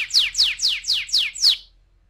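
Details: Canary song used as a lure for rolling song: five loud, fast falling chirps in quick succession, ending abruptly in silence.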